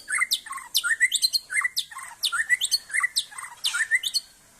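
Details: Aceh white-rumped shama at a songbird contest, singing a fast repeated phrase of sharp descending notes and rising whistles, each phrase about half a second, repeated steadily with short gaps.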